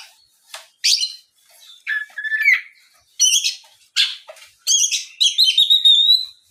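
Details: Lure song of an Oriental magpie-robin meant to make other magpie-robins sing; harsh chips and raspy notes building into a long, bright whistled phrase with repeated high notes.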